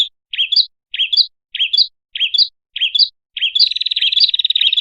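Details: Bird lure recording of a prinia: five short, sharp chirps that rise and dip, spaced about every 0.6 seconds, then a fast buzzy rattling trill. The background is clean.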